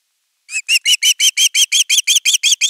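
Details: An Osprey chick at nest 3 calls insistently for fish on 10 August 2021. About thirteen loud, shrill, slightly downslurred whistles come evenly and fast, roughly five per second, with no other sounds.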